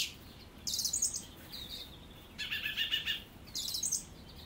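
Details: Song thrush singing in bursts of dense, rattling and buzzy high phrases, three separate loud passages broken by brief pauses, over faint steady background noise.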